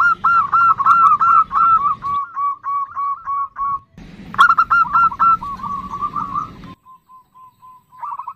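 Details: Nutut call of a female zebra dove summoning the male: fast, stuttering runs of short cooing notes broken by brief silences, then spaced single notes, with a steady low hum underneath.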